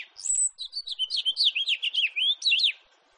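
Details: Warbling song of a house finch from 2018, opening with a high thin note, then a rapid jumbled run of rising and falling slurred notes that stops abruptly near the end, leaving quiet.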